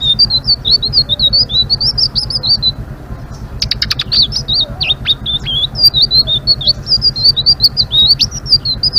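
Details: Vigorous ngeriwik-style song of a Blue-winged leafbird, a continuous run of high, rapid, wavering twitters broken midway by a cluster of sharp clicking notes, then resuming fluently, over a constant low background hum.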